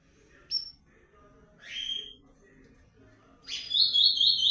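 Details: Comanche-style blue-black grosbeak, breeding season: a sharp chip, a slurred whistle, then a loud rapid buzzy trill of repeated high notes.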